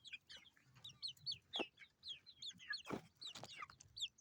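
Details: Baby chickens chirping: many high, short peeping notes overlapping in quick succession, some sliding downward, with a few sharp clicks and soft low rumble beneath.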